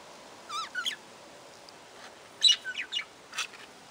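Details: Budgerigar calls in short bursts: a wavy, warbling chirp and a second quick note early on, then a louder run of sharp chirps and a buzzy rising note, separated by quiet pauses with faint hiss.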